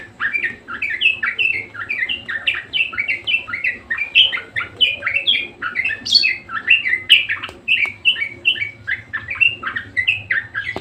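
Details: Budgerigar in full, vigorous song: a steady, fast chatter of short, bright warbled notes, rising and falling without pause across the whole stretch.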